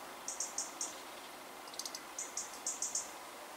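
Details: European robins scold loudly from a balcony nest after a disturbance, with both parents agitated. Rapid high, thin tick notes come in two runs of four to five, with a brief fluttery burst between them, over faint steady hiss.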